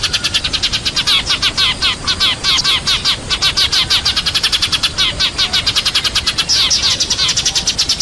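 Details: Sparrows calling the flock, used as a decoy sound: dense, rapid bright chirps repeated several times a second, overlapping and steady for the whole stretch, with a faint background hiss.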